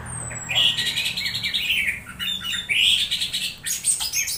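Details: Orange-headed thrush making strange sounds while being conditioned, used as a lure to stimulate singing: a thin high descending whistle, then buzzy, squeaky warbled phrases with quick chattering notes.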